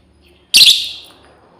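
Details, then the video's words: A female lovebird calls out to companions with a single sharp, grating shriek, brief and loud, trailing off in a short echo over a quiet background. "SUARA PEMANGGILAN BURUNG LOBEBIRD//BETINA MEMANGGIL KAWAN"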